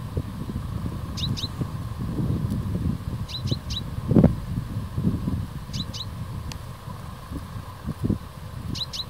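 A chaffinch gives sharp, high metallic notes in quick pairs or triplets, repeated every two seconds or so, over a steady low rumble of traffic or wind.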